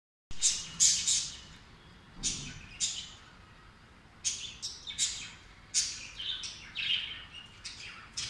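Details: Breeding budgerigars give quick, bright chirps and warbled chatter in short repeated bursts.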